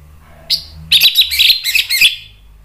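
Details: Orange-headed thrush in agitated song used to provoke other birds into singing: a short whistled note, then a rapid chattering run of sharp, varied notes lasting about a second, low hum in background.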